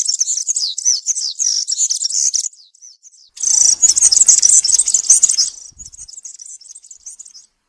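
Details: Country-style serin song in a forest, meant for young birds to copy during moult: a high jangling phrase, a short lull, then a louder, denser burst of fizzy chirps that fades to softer twittering.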